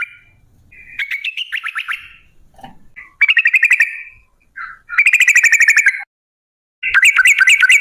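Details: Sooty-headed bulbul, known as trucuk, female, lure recording in 'ropel panjang' style meant to make birds sing: several separate bursts of rapid, buzzy-edged whistled trills, each about a second long, with silent gaps.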